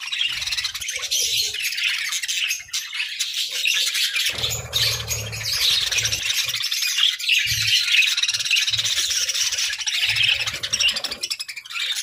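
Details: A group of happy pet budgies warbles and chirps without a break in a dense, buzzy chatter, while faint low rumbles, possibly from traffic, come and go.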